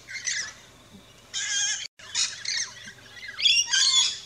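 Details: Rainbow lorikeets at a backyard feeder in Australia giving piercing, rasping squawks in uneven bursts, one brief silent gap, then a louder cluster of shrieks.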